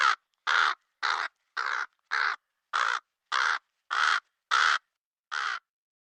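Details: A black crow calls in a fast, steady series of eleven short, hoarse caws, roughly two per second, with a slightly longer gap before the last one and no other sounds.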